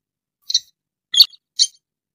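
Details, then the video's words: A rail (sintar) gives three sharp, high, clinking notes spaced about half a second apart, with silence around them; the call is used as a lure for trapping. "Suara burung sintar"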